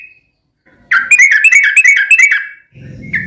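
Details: Brief phrase of lively yellow-vented bulbul song meant to prompt a reply: a rapid, rolling string of bright, slightly rising notes, ending with a faint low rumble of background noise.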